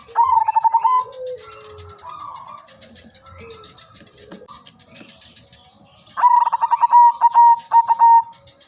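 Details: Zebra dove, silver udanmas, a keen singer whose song serves as bait for catching birds: quick beaded coo bursts open and close the stretch, separated by soft murmurs and faint background chatter, under constant hiss.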